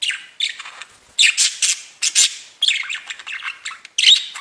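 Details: Singing, tweeting budgerigars kept as pets: dense scratchy chatter of rapid buzzy chirps in bursts, almost continuous for several seconds.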